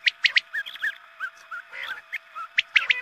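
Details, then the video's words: Quail sound for luring birds at dawn prayer time: sharp triple chirps at the start and end, with softer slurred notes between them and a low steady hum beneath. "Batair mast awaz#Azaan ke waqt ke awaz#batair shekar#batair sound"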